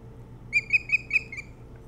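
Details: Osprey calling at the nest on Hog Island near Bremen, Maine, 3 July 2018 around 4:30–5 a.m.: five clear, piercing whistled notes in quick even succession, the last softer, against faint background hum.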